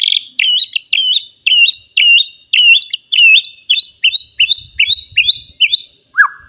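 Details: Forest white-rumped shama singing loudly to rouse rivals, repeating one sharp high chirping phrase about a dozen times, roughly every half second, finishing with a lower slurred note.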